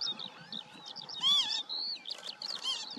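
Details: Northern lapwings in the Eifel, Germany, giving wheezy, slurred, arching 'pee-wit' calls, several overlapping in quick succession, over a low background murmur.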